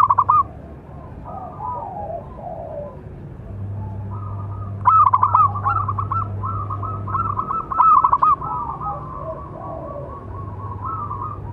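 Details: Local zebra dove, big-voiced, giving a calling song meant to train and provoke other doves; clusters of rapid staccato coos flow into longer rolling notes over a constant low background hum.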